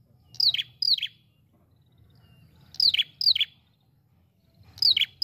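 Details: Ashy prinia (prenjak kepala merah) lure call: sharp, high notes that slur downward, in doubled bursts about every two seconds, over a low background rumble.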